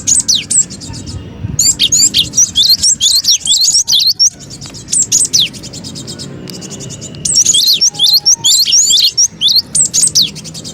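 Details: Cinereous tit lure call for bird trapping, loud and restless: long runs of high, twisting chirps and downslurred whistles over rapid ticking, in two main bursts separated by a quieter stretch.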